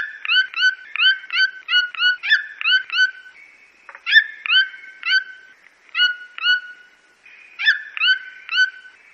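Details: In Brazil, a red-billed toucan yelps repeatedly: a quick run of rising, harmonic notes, a short break, then slower groups of two or three, with a steady high whine behind.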